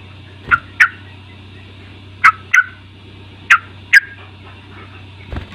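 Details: Lure sound for prompting a young sooty-headed bulbul to sing: three pairs of sharp, short chirps spaced about a second and a half apart, steady humming in the background.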